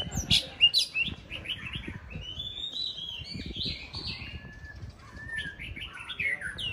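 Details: White-rumped shama being readied for a singing contest sings a high, varied phrase of slurred whistles and quick chirps, with soft pauses and repeated low clicking noises underneath.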